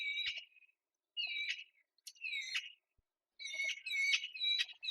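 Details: An adult female Eurasian magpie begs outside her nest in a jasmine shrub, making loud high-pitched whining calls that prompt her mate to feed her; harsh buzzy whines of about half a second follow one another in quick uneven series.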